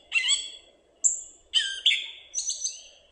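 Gray Catbird giving a jerky run of squeaky, scratchy high notes, with a slurred, cat-like mew among the phrases.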